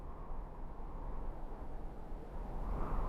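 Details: Steady low rumble, like distant traffic or an engine, with no animal calls.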